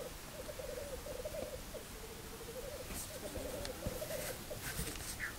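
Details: Black grouse heard from a hide over a weekend, a low bubbling rolling phrase repeated twice against a strong noisy background with scattered clicks.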